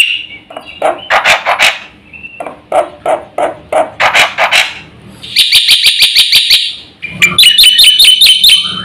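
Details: Black-winged myna (jalak putih) in gacor song full of varied content, used to rile other birds. Harsh, broad chattering notes in uneven bursts give way to rapid, bright repeated ringing notes.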